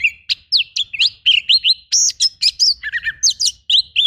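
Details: Oriental magpie-robin rough fill-in song for training, a continuous rapid stream of whistled upslurs, downslurs and harsh chattering notes with no pauses.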